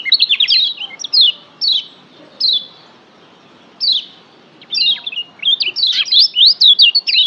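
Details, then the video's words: Lombok yellow white-eye singing as master material to excite caged birds, Lombok: quick trilled chirps, then spaced falling whistles with long gaps, building into a dense rapid chattering run of sliding notes. "masteran Kecial Kuning pendongkrak emosi bikin Kecial Joss lebih ngotot"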